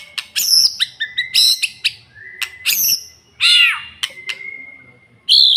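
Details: Male white-rumped shama in full varied song: sharp chirps and rich warbles mixed with long, level whistled notes, the phrases alternating quickly with brief gaps.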